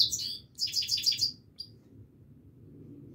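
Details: Himalayan goldfinch singing continuously: a quick burst of high, tinkling twitters, then a brief chirp and a near-silent pause over a low background hum.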